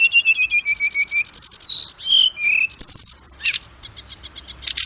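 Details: Oriental magpie-robin (kacer) singing to lure other birds into song: a row of evenly repeated short whistles, then long clear slurred whistles at changing pitches and a harsh burst, fading to soft chirps near the end.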